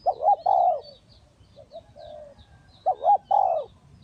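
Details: Spotted dove used as a decoy bird in a trap: low mellow cooing phrases, two short rising coos then a longer drawn coo, repeated twice with a softer phrase between, faint high bird notes behind.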